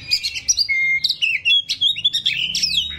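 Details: Oriental magpie-robin, kacer rawit, gives a short burst of bright chirps, one level whistle held briefly, then quick rising and falling twittered notes.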